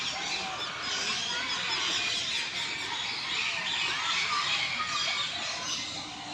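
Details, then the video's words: Birds at Kolkata's Alipore Zoo in a busy, shrill chorus of rapid squeals and squawks, many high notes overlapping and repeating several times a second with steady intensity throughout. "Kolkata Alipore Zoo Birds chirping"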